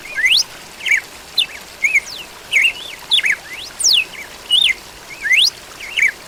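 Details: Red-cowled cardinal singing: short clear whistled phrases, mostly rising or falling slurs and looping notes, delivered in quick bursts about every half second over a steady soft hiss of background noise.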